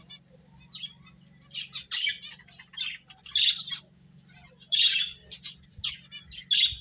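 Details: Finches eating and playing, giving short bright chirps and twittery bursts in scattered clusters, some sharper notes standing out, over a steady low hum.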